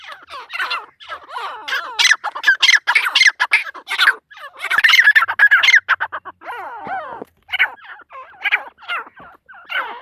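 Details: Female partridge in a long, excited run of harsh squawking and clattering notes, packed tightly at first, then breaking into separate shorter bursts.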